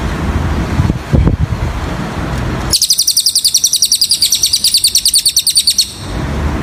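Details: Cililin song used as a masteran tutor recording: a rapid, very high trill of short sharp notes, evenly pulsed for about three seconds, after low rumbling vehicle noise and a few knocks at the start.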